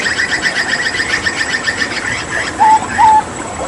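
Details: A Papuan hooded butcherbird kept as a song tutor for other birds pours out a fast, even series of repeated chipping notes, then pauses and adds two loud clear whistles.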